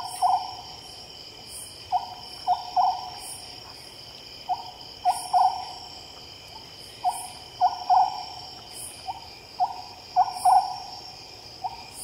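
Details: Oriental scops owl at night giving low, hollow, toad-like notes in short clusters of two or three, every couple of seconds, over steady shrill insect trills.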